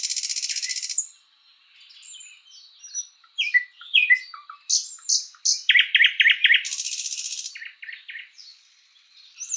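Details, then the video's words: Spring forest song of a thrush nightingale, opening with a dry high rattle, then scattered whistles and piping notes building into loud knocking strokes and repeated chook phrases, another rattle, quieter twitters at the end. "Bird sounds Nightingale bird singing"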